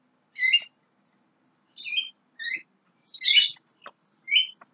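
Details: Young Javan myna giving a sparse series of short, bright chirped phrases, each with stacked harmonics. Roughly six bursts arrive over nearly five seconds, separated by silent gaps. The background is otherwise quiet.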